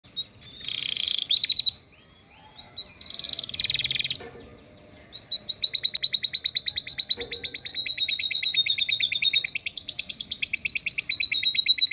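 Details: Canary trained with lovebird song: two buzzy chattering bursts, then a long run of rapid, evenly repeated sharp notes, about three per second, continuing to the end.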